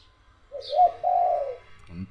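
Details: Dove calling from one corner of the grounds while another calls from elsewhere, at 1 pm: a rising low note leading into one long, smooth coo, with a brief high chirp and a low thump at the end.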